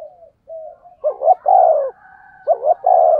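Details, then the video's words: Close, loud spotted dove coo in the prized 'thunder' voice style, used to stimulate wild doves. Soft lead-in notes, then two phrases of paired rising hoots followed by a long low falling coo. "Chim cu gáy giọng thổ sấm chuẩn // tiếng chim cu gáy kích bổi mới rất hiệu quả"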